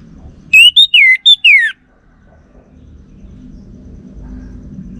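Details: Orange-headed thrush from North Bali singing a lure phrase to provoke a male: a quick series of five rich whistled notes, some falling sharply, followed by several seconds of low background murmur.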